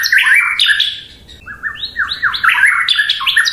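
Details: White-rumped shama, a songbird widely kept for its melodious song, delivering rich fast phrases of slurred whistles sweeping up and down, a short lull, then a tumbling series of descending notes in quick succession.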